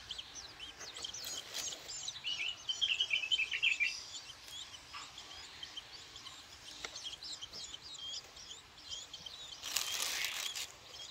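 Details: Six-day-old long-tailed shrike chicks begging while being hand-fed: a fast, thin, high-pitched twittering chatter, loudest between two and four seconds, then fainter scattered squeaks and a brief rustling burst near the end.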